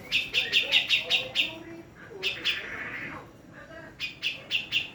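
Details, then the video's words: Javan black-throated laughingthrush, a female, gives quick runs of sharp repeated chirps, six or seven notes per run, broken by brief gaps and a few softer lower notes. "Cucak Jenggot Jawa Betina"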